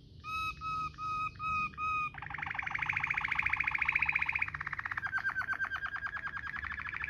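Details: Waterslager-style canary song for tutoring: five short hollow fluty notes, then a long buzzy rolled trill that drops in pitch and continues as a slower pulsing roll.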